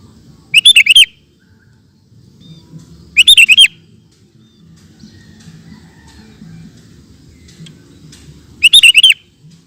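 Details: Sooty-headed bulbul singing in the rapid 'ropel' style: three loud, dense bursts of fast chirping, each under half a second, spaced a few seconds apart, with soft faint chips between.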